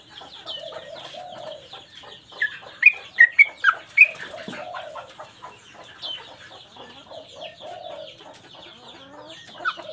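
Yellow-vented bulbul giving a short burst of loud, bubbly, liquid notes mid-clip, over a steady chatter of thin chirps from other birds.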